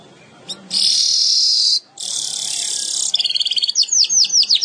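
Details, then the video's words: Weaver singing two long harsh hissing buzzes, followed by a rapid run of sharp repeated notes that become more widely spaced and slurred toward the end. "Burung Manyar gacor"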